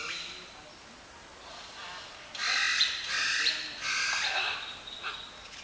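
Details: A flock of scarlet macaws, reintroduced through a breeding program, at the Mayan ruins in Copan Ruinas: three loud, harsh, grating squawks in quick succession, each about half a second long, then a fainter squawk, over a quiet outdoor background.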